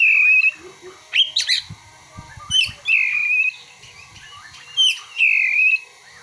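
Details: Oriental magpie-robin (kacer) singing borrowed ciblek and kolibri material: long level whistles alternate with harsh scratchy bursts, the whistle-and-scratch pattern recurring about every two seconds, with faint low knocks.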